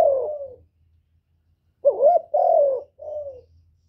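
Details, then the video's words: Kept spotted dove's decoy song recorded without background noise: one long descending coo, a pause, then a rolling undulating coo, a long full note and a shorter softer falling coo, with a faint low hum. "Tiếng cu gáy mồi / cu gáy đủ bài giọng hạp bổi kích mồi luyện bổi mau nổi hiệu quả"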